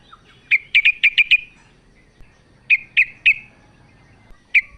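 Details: Calling female sooty-headed bulbul seeking a male: a short low note, then a run of six sharp chirps, three more after a pause, and a single final chirp.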